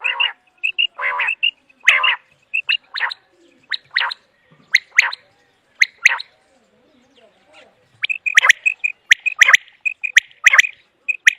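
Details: Common quail sounds used to lure quail when hunting: rapid clusters of short whistled notes mixed with grating rasps, then a near-silent gap before another dense burst of notes and clicks.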